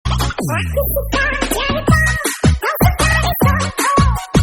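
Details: Loud electronic dance music with scratching effects, thumping bass beats and a tonal melodic line; no animal voice stands out.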